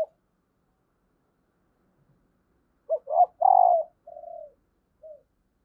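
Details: Calling female spotted dove, used to get males cooing: after a quiet gap, a short note, a double coo and a long husky coo, then a softer trailing coo and a final brief note.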